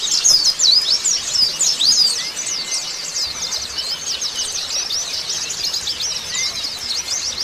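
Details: White-eye singing, meant to encourage a bird back into song after moult: busy high-pitched twittering of quick downslurred and upslurred chirps, about three per second, with a soft drawn-out lower whistle twice.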